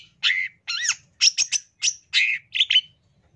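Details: Long-tailed shrike master song for training songbirds, in full tembakan style: a series of loud, separate chirped and warbled phrases, some with bending whistled notes, each under half a second and spaced by short pauses.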